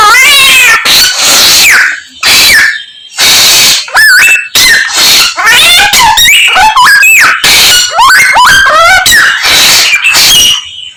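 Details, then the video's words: Samyong delivering a long mimicry song that copies many garden birds: quick bursts of swooping whistles, chattering trills and rough buzzy notes, loud and densely packed, broken by brief silences. "Samyong Gacor full isian Burung Sak Kebon Dadi siji"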